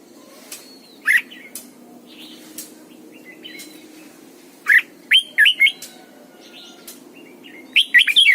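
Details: Caged red-whiskered bulbul, a decoy bird singing a morning song used to train other bulbuls; scattered short chirpy phrases in bursts, sharp rising and falling notes separated by pauses, over a steady low background hum.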